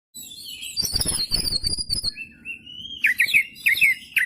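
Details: Oriental magpie-robin (kacer) singing energetically as a lure song, with a high whistled sweeping phrase, then quick bright chirps and trills in a loud, varied burst, over faint low rumble.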